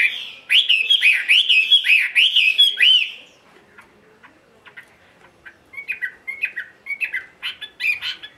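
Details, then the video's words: Caged, tame Chinese hwamei in solo ngũ trường song at midday: a three-second burst of loud looping whistles, a brief pause, then quieter scattered chirps building again. "ngũ trường siêu mẫu thuần đét solo giữa trưa"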